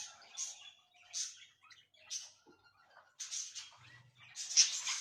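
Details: Cockatiels kept as ornamental pet birds, giving short scratchy chirps and bursts of harsh chatter separated by brief quiet gaps, with a faint low hum.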